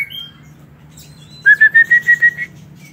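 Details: Captive white-rumped shama in an aviary: a brief soft whistle and faint twitter, then a run of seven bright, rapid whistled notes held at one pitch and creeping gently higher.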